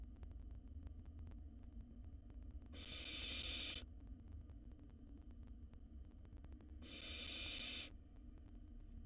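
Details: Two long, rasping hisses about four seconds apart from a wild barn owl nestling devouring a mouse inside a nest box; steady hum in the background.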